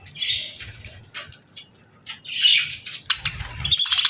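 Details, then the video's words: Budgerigars chirping during evening feeding time before bedtime, with buzzy warbling chirps, a louder burst midway and a bright rapid twittering run at the end. "Budgies Evening Fun 🕊️🌿 | Chirping Sounds & Feeding Time Delight 🐦"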